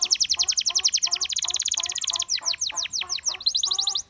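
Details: Gloster canary singing, said to coax other canaries into song: rapid trills of repeated high downward-swept notes, a fast rolling run, then a slower series of separate descending whistles.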